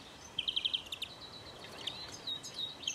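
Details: Baby greenfinch being trapped; a quick run of five clipped high chirps, then scattered thin notes and soft twitters over light background hiss.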